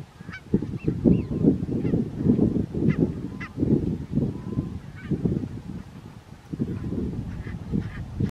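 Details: A barnacle goose flock in Strijen, Netherlands, 4 November 2024, giving scattered short nasal yaps and barks throughout, partly overlapping, over steady low rumbling noise.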